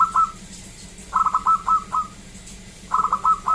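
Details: Loud local zebra dove giving short series of crisp, even, staccato coo notes. Groups of four to six notes are separated by brief pauses.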